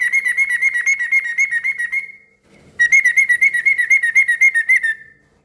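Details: Noisy, energetic yellow-vented bulbul song used to set other bulbuls answering. Two long bursts of fast, evenly spaced buzzy chips, each about two seconds long, split by a short gap with faint rustling.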